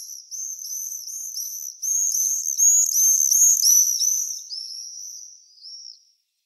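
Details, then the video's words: Common swifts (Apus apus) give shrill, high, buzzy screams, about three a second, several birds overlapping into a loud chorus that fades away. "Sorbeltz arrunta (Apus apus)"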